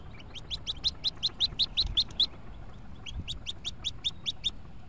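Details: Hooded Merganser ducklings from a nest box, 14 hatched on April 1, 2014, jumping out together the next day at 11:05 AM: rapid, high peeping notes repeated about three per second in two runs, with a short pause between.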